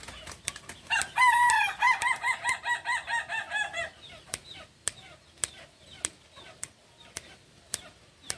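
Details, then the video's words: Kukuak balenggek rooster, a breed native to Solok in West Sumatra, delivering a crow of rapid pulsed, stepped syllables lasting about three seconds, followed by sharp repeated clicks or taps in the background. "Ayam kukuak balenggek ayam asli solok sumbar"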